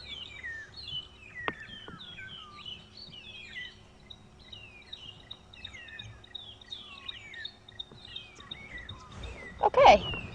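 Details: Magpie shrikes, noisy this morning at sunrise on a safari drive, chatter in a busy chorus of clear, whistled, slurred notes rising and falling, with a low rumble and a brief loud burst near the end.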